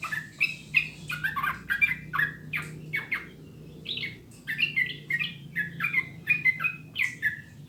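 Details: Recording of a sooty-headed bulbul, meant as a tutor to get birds singing quickly: a continuous string of bright, bubbly whistled phrases with slurred downward notes, briefly pausing near the middle, faint hum behind.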